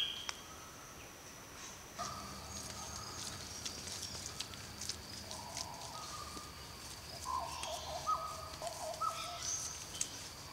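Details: A Black Butcherbird in the wet tropics of far north Queensland, Australia, sings mellow, fluted notes, some held and some sliding, in short phrases over a steady high insect hum.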